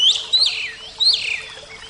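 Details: Oriental magpie-robin, Javan kacer type, giving two loud sweeping whistles, each a sharp rising note falling away into a buzzy tail, about one second apart.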